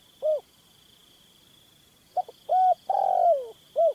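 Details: Spotted Dove cooing from a captive decoy bird used in hunting to lure a wild male into a trap: a short coo, then after a pause a clipped note, two mellow coos and a long coo sliding downward; a steady high whine runs throughout.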